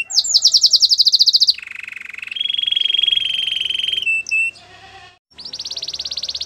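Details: Belgian canary song meant for training a silent canary to sing: a rapid high rattling trill, then long steady buzzy rolls at lower pitch, a brief pause, and another fast metallic trill.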